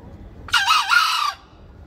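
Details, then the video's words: Green junglefowl crowing: one short, harsh, hoarse two-part crow lasting under a second, strongly broken into two bursts, with near silence before and after. "ayam hutan hijau berkokok"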